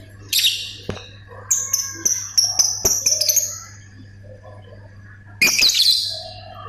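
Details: Lovebird chatter of the ngetik and ngekek kind: a harsh squawk, then a run of quick ticking, whistled notes, a pause, and another long raspy squawk, with a steady background hum.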